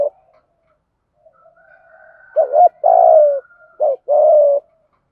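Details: Spotted dove used as a decoy, cooing to provoke and lure wild doves in the calling style known as gáy gọi một hậu; after a quiet opening, two low two-part coos: a short wavering note, then a longer falling one.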